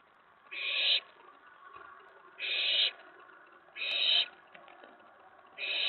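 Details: Excited owlet in a nest box at night, 19 May 2017, reacting to an owl arriving on the tray after a mouse was stashed; four loud, harsh hiss bursts repeated roughly every one and a half seconds.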